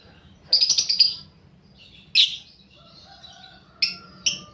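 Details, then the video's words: Young fighter lovebird lure recording, meant to spur caged lovebirds into long chattering: a rapid buzzy burst of harsh, high chirps for about half a second, then scattered single sharp chirps and faint tones. "pancingan burung lovebird paud balibu fighter"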